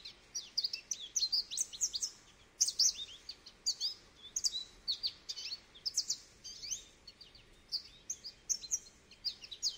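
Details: Goldfinch singing continuously: a fast, musical string of high twitters, trills and sharp chirps in repeated bursts over a soft background hiss.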